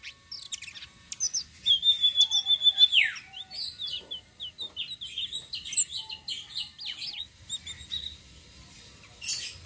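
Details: Flowerpecker in rolling song, used to lure other birds: rapid high twitters, a long level whistle that drops at its end, then dense fast chattering phrases and sparse chirps over a quiet background.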